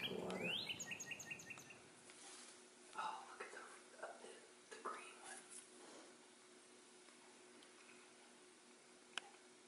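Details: A male Northern cardinal singing and eating in a backyard in 2020 gives a brief song: a rising slur, then a quick run of clear whistled notes; a voice at the start, then faint soft ticks.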